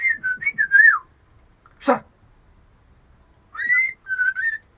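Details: Female shama calling the male: a quick run of wavering whistles, a single harsh noisy burst, silence, then two loud, clear whistled phrases, the second slightly lower and steadier.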